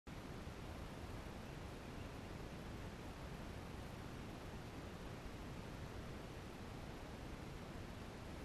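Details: No animal sound is heard, only a steady, even hiss of static from the camera.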